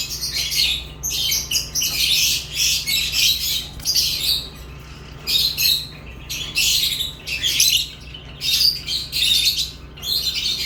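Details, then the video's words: Lovebirds chirp steadily in rapid, grating bursts, roughly two or three per second, with short pauses between clusters and a faint low hum throughout. "Love birds chirping sounds"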